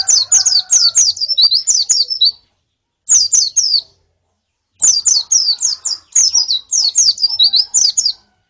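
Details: White-eyes, female and colony, used to encourage a male to sing: energetic runs of shrill downslurred chirps, bursts of ten or more notes separated by brief silences, faint lower whistles early on.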